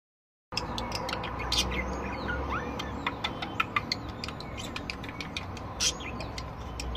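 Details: Several different budgerigars singing, a dense stream of chattering warble with sharp clicks, short squeaks and loud bursts of chirps, over a steady low hum.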